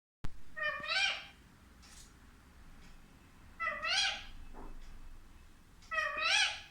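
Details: Pet parrot talking: three drawn-out, richly harmonic, nasal utterances, each under a second and slightly wavering in pitch, spaced about two and a half seconds apart in a quiet indoor setting.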